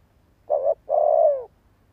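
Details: Spotted dove used as a lure bird to set others cooing, one phrase: a brief level coo, a short gap, then a long smooth coo easing down in pitch at the end.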